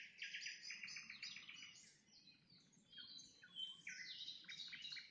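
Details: Nightingale singing at sunset, with dense overlapping phrases of high whistles and rapid repeated chirps. Some notes are buzzy, others are clear trills, and the song runs continuously over faint low background noise.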